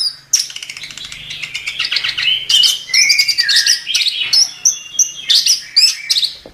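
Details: Chestnut-capped thrush singing a gacor masteran tutor song for songbirds: dense run of bright whistles, rising and falling slurs and quick buzzy chips, delivered almost without pause over six seconds.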